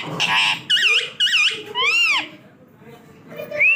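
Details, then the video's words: Talking parrot producing squawky, speech-like syllables mixed with arching whistles and squeaks, with a pause before a final rising whistle. "parrot talking"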